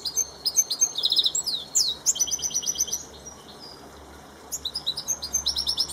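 A goldfinch mule sings a rapid, bright twittering song of high trills and tinkling notes.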